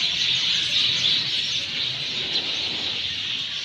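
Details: After monsoon rain in Sanghar, Sindh, Pakistan, many sparrows chirp at once in a dense, high, unbroken chatter, with quick overlapping notes several times a second and no other clear sounds.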